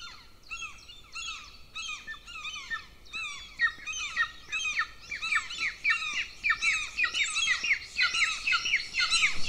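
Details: Two golden eagle chicks at their nest in Lahemaa, northern Estonia, recorded by nest camera during breakfast on 25 June 2024; loud shrill squealing notes repeat rapidly, growing denser and more excited toward the end.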